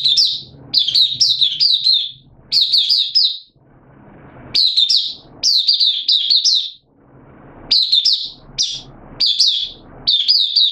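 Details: Caged oriental white-eye (mata puteh), a hobby songbird in an open singing session on 8 September 2022, form slightly down: bursts of bright high chirpy notes strung into quick warbling phrases, about six phrases separated by brief pauses, faint low room hum.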